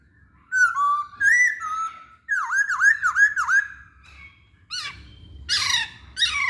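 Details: Masked laughingthrush lure song to provoke other birds, with slurred whistles, a rhythmic series of dipping whistled notes, then harsher descending squawks.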